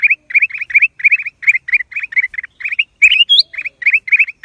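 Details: Black-crested bulbul in April 2023: dense, lively chirping of buzzy upward-slurred notes in quick groups, interrupted once by a clear high rising whistle.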